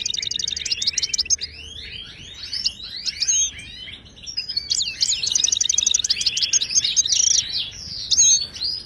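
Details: Ouidani-style song of a Moroccan European goldfinch, meant to teach caged birds to sing. Dense, continuous high twittering with rapid trills, looping slurs and two bursts of fast rattling notes.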